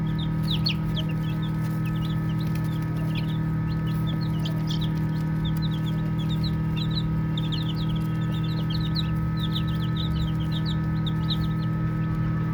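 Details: Baby chicks playing fill the air with dense, overlapping high peeps that slide downward, in uneven bursts over a steady low-pitched hum throughout.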